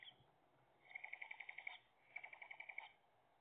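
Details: Tawny owl trill calls at a nest box with nestlings, as the female brings an earthworm, 3/5/2021: two bursts of rapid, soft, pulsed trilling, about a dozen notes each, with a brief pause between them.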